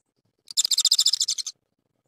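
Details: A single male Japanese tit, apparently courting a nesting female in the evening on the day she laid her second egg, gives a quick burst of about a dozen high, buzzy chattering notes in one second.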